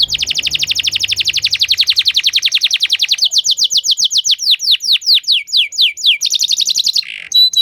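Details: Canary song: a long, fast rolling trill of rapid repeated notes for about three seconds, then slower, spaced descending sweeps, ending in a few clipped whistles; clean and close with little background.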